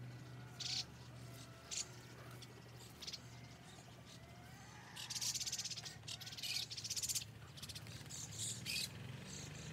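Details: White-cheeked starlings feeding, quickly eating everything up: short harsh, buzzy, high-pitched bursts come in scattered groups, some overlapping, over a steady low hum.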